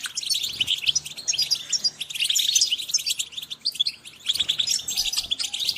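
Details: European goldfinches in a group, calling in a continuous dense twitter of high, tinkling chirps and trills that overlap throughout with little pause.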